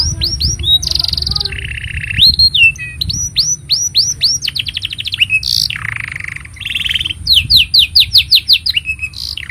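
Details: Canary singing at length as training material for juvenile canaries and silent birds: rapid repeated upswept chirps, rolling buzzy trills, ringing high notes and fast staccato series, steady and unbroken, with a low hum beneath.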